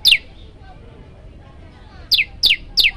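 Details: A prinia, labelled common tailorbird (Orthotomus sutorius), gives sharp, high whistled notes that slide steeply downward: one alone, then a quick run of three about a third of a second apart.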